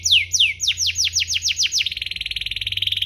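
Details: Singing domestic canary, played to stimulate other canaries: a series of loud descending whistled sweeps speeding up, then breaking into a rapid even trill to the end, over a faint low hum.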